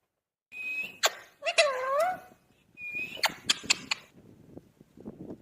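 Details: Talking pet parrot mimicking speech ("mitthu"): a steady high whistle, sharp clicks, then a wavering voiced syllable, followed by another whistle and a rapid run of clicky notes, with faint background noise.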